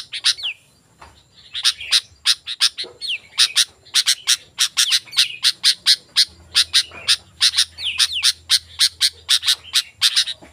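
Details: Sooty-headed bulbul used to call wild bulbuls: runs of quick bright chips interspersed with short falling slurred whistles, one brief pause near the start, over a low background hum.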